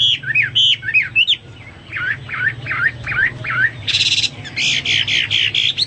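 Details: Hwamei singing a tutor song for pet birds: slurred whistled phrases, then a run of dipping V-shaped notes repeated about twice a second, ending in loud buzzy, harsh bursts; low hum underneath.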